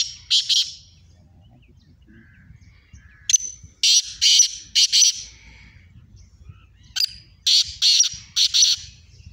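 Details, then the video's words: Two Sindhi black francolins competing in song: two loud grating phrases of four or five rasping notes each, about four seconds apart, with a short opening note, against a quiet low hum. "do Kale Sindhi chitron ka mukabala Kale teetar ki khubsurat awaaz"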